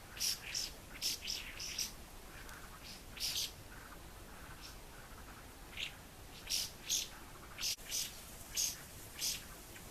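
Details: White-browed laughingthrush calling around a house: short, harsh, high chirping notes in irregular bursts of two or three, separated by brief pauses, over faint background hiss.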